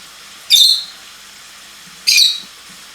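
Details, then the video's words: Lovebirds singing: two sharp, shrill, harsh screeches, each about half a second long and spaced roughly one and a half seconds apart, in an otherwise quiet room with a faint steady background hiss. "lovebirds singing"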